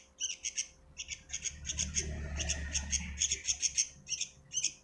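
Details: Chick of the sooty-headed bulbul making rapid, sharp, scratchy squawks in a near-continuous run, with faint low background noise swelling in the middle.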